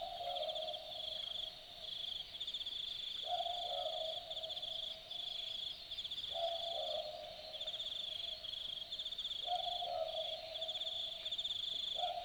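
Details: At night in the Aussie bush of Dharug, an Australian boobook repeats its typical boo-book call, four paired hoots about three seconds apart, each falling slightly on the second note, over loud rhythmic pulsing crickets.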